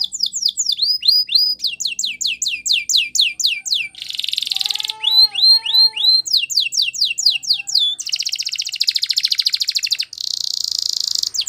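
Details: Spanish Timbrado canary song for training: runs of quick downward-sweeping whistled notes, brief harsh buzzy trills, a low hollow rolling passage, then long dense metallic rattles at the end.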